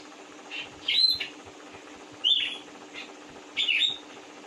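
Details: Large-bodied oriental magpie-robin (kacer) giving short, harsh, scratchy phrases sweeping around mid-high pitch with sharp clicks, repeated about every 1.3 seconds, with faint softer notes between bursts and a steady low hum behind.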